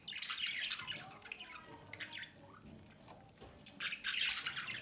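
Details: Pair of pet budgerigars feeding one of their chicks from the nest entrance; two bursts of dense, harsh, scratchy squawking, a rapid chattering flurry at the start and again near the end, with quieter scattered chirps between.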